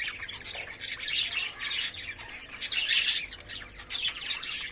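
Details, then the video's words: Courting lovebirds kept in a cage make harsh, high squeaky calls in clustered bursts, several sharp chirps every second with brief dips between. "love birds 🐦 making sound 🔊 and playing"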